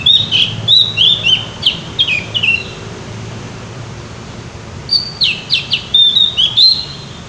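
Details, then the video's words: Javan white-eye in full, lively song, giving rapid runs of high, thin whistled notes that slur downward, then a second burst of sharp chirps after a brief pause, over a low steady hum. "opior jawa gacor ngeplong"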